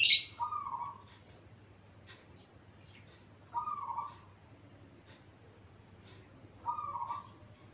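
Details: Zebra dove song used as a master recording for training young doves still learning to sing: short mid-pitched cooing phrases repeated about every three seconds, with a sharp high chirp at the start and faint clicks between.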